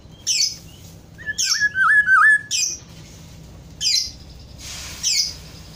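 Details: Sharp high chirps recur roughly every second and a half around a loud, wavering, whistled Black-throated oriole phrase of several slurred notes, with low hum underneath.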